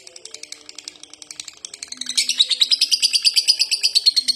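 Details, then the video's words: Lovebird in long, non-stop konslet ngekek chatter: a rapid, high, buzzy train of repeated notes, about three per second, growing louder and harsher halfway through and running on without pause. "Lovebird konslet ngekek panjang diglodok gak mau berhenti"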